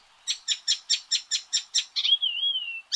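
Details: Icterine warbler (Hippolais icterina) song: a rapid run of about eight harsh, chattering notes, then a clear, wavering whistle and another harsh note.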